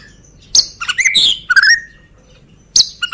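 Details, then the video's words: Medan-type White-rumped shama lure song to provoke other birds into singing: short bursts of sharp high notes and buzzy, scratchy phrases, with a clean falling whistle between them. "Pancingan Murai Batu Medan Suara Asli"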